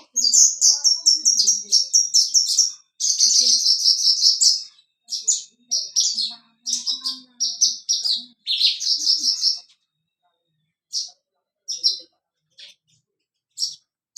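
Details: Energetic Javan bush lark dancing on a rock, its voice called crystal: rapid high rattling trills for ten seconds, then sparse single high chirps separated by silences, with faint low murmurs.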